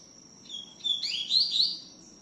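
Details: Tui tiu song of a double-collared seedeater, singing heavily: a short thin note, then a fast cascade of sweet up-slurred whistles lasting under a second, with an unbroken high steady tone behind.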